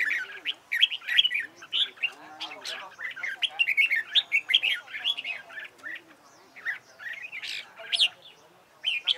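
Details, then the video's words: Competition-style singing of red-whiskered bulbul for training: busy stream of short whistled and chirping notes, some sharp high accents, phrases following closely one after another. "CHÀO MÀO HÓT ĐẤU HAY"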